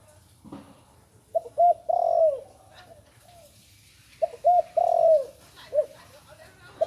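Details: Spotted dove, a youngster just learning to call, delivers two phrases about three seconds apart. Each has two brief coos, a long downward-curving coo and a short closing note, over a faint low hum.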